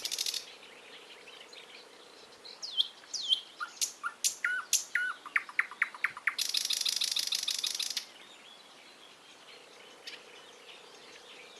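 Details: Bird song with sharp whistled and downslurred notes in a quickening series, leading into a dense, buzzy trill of about a second and a half. A faint steady hum sits underneath at the start and end.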